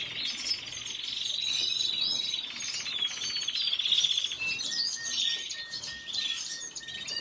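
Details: Red siskin song of rapid chirps and a dry buzzy trill, ending with a steady, level thin tone held beneath scattered twitters.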